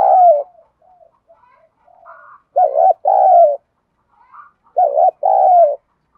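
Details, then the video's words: Cooing spotted dove, a call used to get other doves to answer: faint soft notes lead into two strong phrases, each a quick wavering coo then a drawn-out falling coo. "cu gáy thúc gù giọng đồng thổ, chim cu gáy kích bổi nhanh nổi nhanh"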